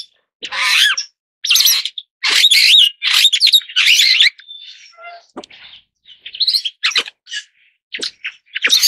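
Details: Superb starling chattering in loud warbled bursts of about half a second each, repeated roughly once a second, then softer buzzy notes and scattered sharp chips.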